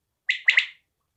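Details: One quail phrase: a short high note, then two fast clipped syllables, a crisp three-part call that ends abruptly in silence.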